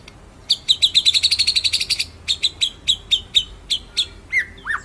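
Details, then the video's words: White-rumped shama master song for training other birds: a fast run of sharp high chips speeding into a rolling trill, then slower evenly spaced chips, ending with rising and falling whistles. "BURUNG MURAI MASTERAN NGEROLL NEMBAK"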